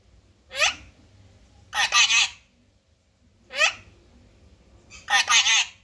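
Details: Parrot, called mithu, giving four harsh squawking calls about every one and a half seconds. Short rising shrieks alternate with longer raspy double bursts against low background hum.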